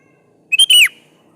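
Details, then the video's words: Kutilang, the sooty-headed bulbul, singing to get other bulbuls to respond: a single rich whistled phrase, two quick notes then a longer downslurred whistle, over a very faint low background hum. "KUTILANG jenis apapun Pasti nyaut di Masteri suara burung kutilang gacor ini"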